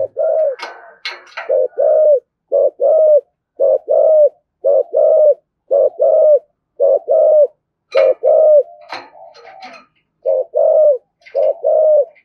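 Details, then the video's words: Long run of low spotted dove coos, 'thổ' voice style giving the urging 'thúc gù' used to provoke other doves; hooked short-long pairs repeat steadily, with clicks and a brief scratchy burst midway. "cu gáy giọng thổ thúc gù dùng kích bổi, bổi nghe rất nhại gáy"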